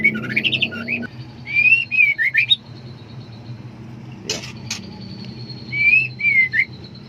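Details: Female white-rumped shama in breeding condition, calling for a mate: clusters of clear whistled and slurred notes, two sharp clicks midway, then a final pair of rising-falling whistles over a faint low hum.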